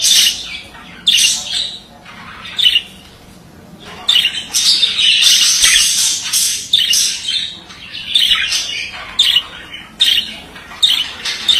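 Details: A male budgie produces a long scratchy warble: quieter opening chirps, then dense chatter of squawks, clicks and high squeaks, punctuated by sharp chirps.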